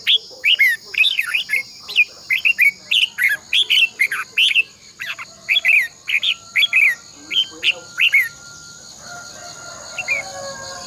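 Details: Red-whiskered bulbul singing its morning decoy song for training caged birds, a long twisted double voice: about twenty crisp, bouncing whistled notes in rapid succession, then a quieter tail with a steady high hum.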